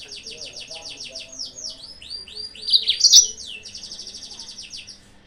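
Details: Yellow-fronted canary singing to provoke rival birds: continuous rapid high trills of repeated downslurred notes, a louder sharp chirping flourish midway, then a fast even buzzy roll.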